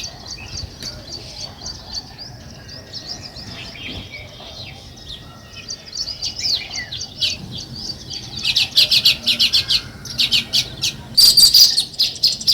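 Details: Natural sparrow chirping from weaver birds: soft, high twittering at first, then loud, rapid runs of sharp, rasping chirps repeated quickly toward the end.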